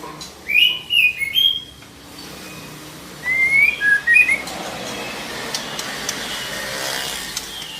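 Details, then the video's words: Female white-rumped shama calling to stimulate a male to sing: two bursts of clear whistled notes around the upper-middle range, sliding and warbled phrases, with quiet gaps and faint background hiss between them. "Suara murai betina memancing murai jantan gacor"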